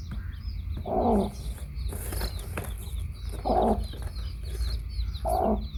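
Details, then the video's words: Mother hen with chicks makes three brief, rough clucks spaced roughly two seconds apart, against steady high twittering and a low background drone. "Baby Chicks hen"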